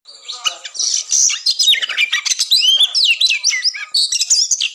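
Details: Fighting song of an Oriental magpie-robin, a pre-contest mental test to raise breeding drive; bright looping whistles and buzzy slurred phrases delivered in a continuous rapid stream.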